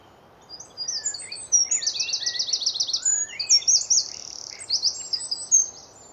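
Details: Eurasian wren singing on a tree in early morning, spring, Hampshire, UK, recorded on a Nikon D500: an energetic, very high stream of piercing notes and quick trills lasting about five seconds, with a brief lower whistled slide.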